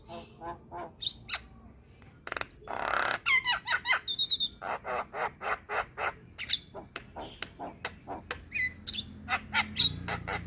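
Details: Javan myna singing with varied content as a tutor recording for young birds: a few soft notes, then a harsh burst and a long, regular run of loud clicking notes, with occasional high whistles.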